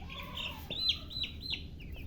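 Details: Chicks peeping near a hen: short high whistled peeps, some falling in pitch, scattered across two seconds, with a soft lower hum and faint background rumble.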